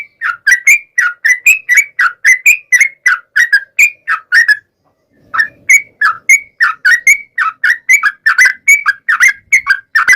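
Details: Long rapid-fire song of a yellow-vented bulbul, played to make other bulbuls respond: continuous chain of bubbly, slurred whistles, breaking off for about a second midway, then carrying on steadily.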